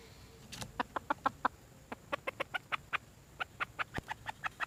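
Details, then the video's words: Red junglefowl uttering a long run of short, sharp clucks, spaced about a fifth of a second apart in loose bursts, against a quiet background. "nkauj qaib see zoo heev"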